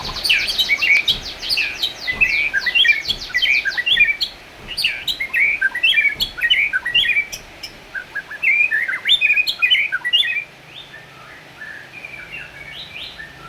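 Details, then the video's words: White-rumped shama, described as a black-tailed form, singing to provoke other shamas: a lively run of high whistles, sharp chirps and rapid up-and-down slurred notes in quick bursts, easing to softer phrases near the end. "efektif bikin murai lain ikutan gacor, pancing dengan suara murai ekor hitam gacor"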